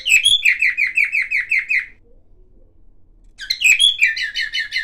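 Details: Silver cockatiel warbling various sounds: a rapid series of repeated chirped notes that stops for over a second of silence, then resumes with a high twittered burst and more busy chirping.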